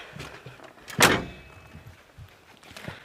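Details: A car door thunks shut amid faint murmurs and rustles, with no animal calls.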